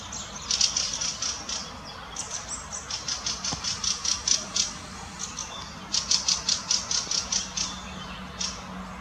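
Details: Fieldfare parent and juvenile in Munich's Botanical Garden: a loud, fast rattling chatter of harsh notes, about a dozen in a row, a short pause, then another energetic run, over light ambient noise.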